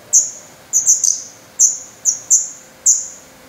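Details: Black Redstart nestlings, feathered and growing fast, at a nest in Portugal, 17 May 2020; single thin, high, downslurred chirps spaced roughly half a second apart, some in quick pairs, over a quiet background.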